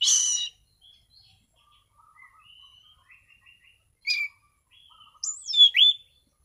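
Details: Orange-sided thrush singing a relaxed, clear ngeplong-style song in prime condition: a loud harsh opening burst, then soft scattered notes, a bright burst near four seconds, and loud looping whistled notes toward the end, with gaps of quiet.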